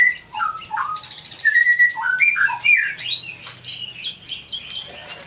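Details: Kolibri ninja sunbird in full song: opens with clear whistled notes stepping up and down, then a rapid stream of thin, high twittering phrases and short buzzy trills.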